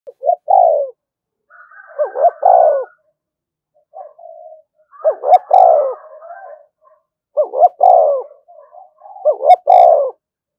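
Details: Spotted dove giving its provoking call to rouse other doves: repeated groups of soft, throaty, pulsing coos ending in a longer note, each phrase about two seconds apart, in a quiet room.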